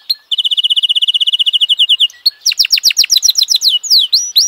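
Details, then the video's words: F1 canary song: a steady rapid trill of clear repeated notes for two seconds, a short gap, then a run of sharp descending chips and a few swooping V-shaped whistles. "suara kenari f1 keren dan mewah"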